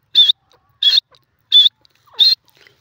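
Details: Grey francolin, described as a male, giving four loud, harsh, high-pitched notes spaced about two-thirds of a second apart, each a short rasping burst; the background is otherwise quiet.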